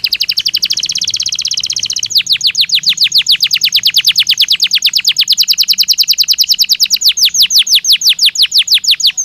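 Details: Belgian canary singing a stimulus song for training other canaries: a dense high buzzy trill, then a long run of rapid descending whistled sweeps repeated about three times per second, loud and clear.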